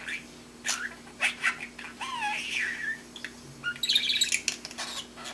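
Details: A young male budgie learning to talk pours out babbling: wavering whistled notes that slide up and down, clicks, and a harsh squawky burst near the end, all in a room with a low electrical hum.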